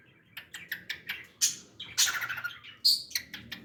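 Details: A pet cockatiel sings with a rapid run of high, sharp chirps and squeaky notes, irregularly spaced, with a couple of louder bright squeals near the middle and end.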